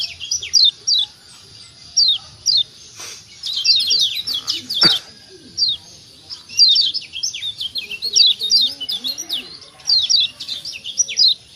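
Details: Kecial kuning white-eye from Lombok in a recording used to prompt other birds to answer: repeated high down-slurred chirps, alternating single notes with dense rattling bursts, plus a couple of brief clicks or knocks partway through.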